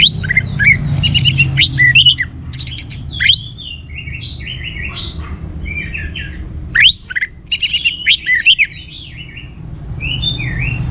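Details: Orange-headed thrush singing vigorously: bursts of rapid, ringing trills alternate with varied slurred whistles and chips, with two dense trilled phrases separated by softer notes, over a low hum.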